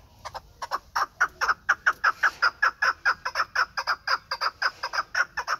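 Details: Pamir chukar partridge, kept for hunting, giving a steady string of raspy chuck calls. About twenty evenly spaced notes come at close to two per second against a quiet background.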